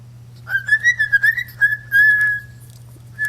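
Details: Moluccan cockatoo kept as a pet whistling a sustained tune, reportedly Tchaikovsky's 1812 Overture: a wavering run of short notes and then a long steady whistle, over a low electrical hum.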